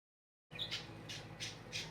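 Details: Pet male budgerigar, kept with a female in a cage and growing more talkative and interested in her as spring approaches, gives four short harsh squawking bursts in quick succession inside a small room.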